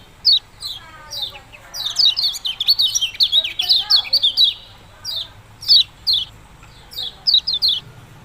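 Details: Yellow-bellied prinia singing its "ciak-ciak jos" song: rapid bursts of sharp, downslurred chirps, high and bright, packed densely mid-clip, then spaced out in twos and threes; quiet background.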